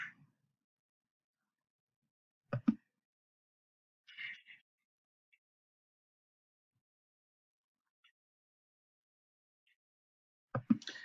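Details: Mostly quiet, broken only by a few brief knocks, clicks and rustling bursts, with no clear animal call.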